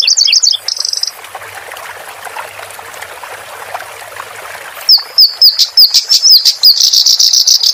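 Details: Clamorous reed warbler song used as a master recording for training cage birds. High chattering phrases open and close the passage, with a gap of trickling water sound between.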